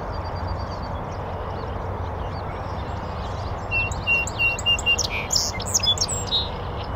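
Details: North American Song Sparrow singing from a bush on a northern USA oak savanna beside a beaver pond: after a few seconds of low rumbling background, a series of evenly spaced clear notes leads into a buzzy burst and jumbled high trilled phrases.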